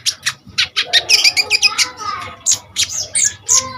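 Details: Common iora in vigorous song, meant as a tutor for kolibri ninja birds; dense series of sharp high chips and trills, a fast cluster near the middle, then spaced whistled notes.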